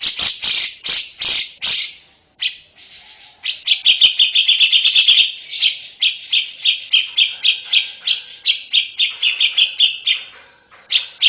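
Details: Song of a lovebird, recorded for training young birds: several loud harsh bursts, a brief quiet gap, then a rapid run of squeaky chirps and a long series of shrill, evenly spaced chattering notes.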